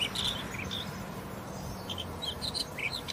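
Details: Black wheatear (Oenanthe leucura), call.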